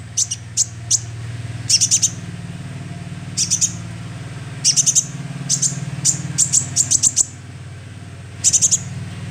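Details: Calls of a young sunbird used as a lure: clusters of thin, high chips and quick twittering runs, some single, some in rapid series, over a constant low droning hum.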